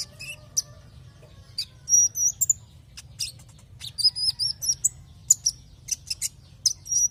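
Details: Sunbird (kolibri ninja) used as a lure to make other kolibri ninja sing: high, thin chirps and short whistled slurs in scattered bursts, some rising and falling, over faint low hum.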